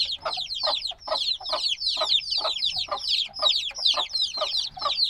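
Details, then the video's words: Many black baby chicks, hatched a few days ago and still needing warmth, give a dense chorus of high, downward-sliding peeps that overlap constantly, with short soft taps scattered roughly twice a second beneath them. "Baby Chicks Sounds - Baby Chicken Chirping Noises"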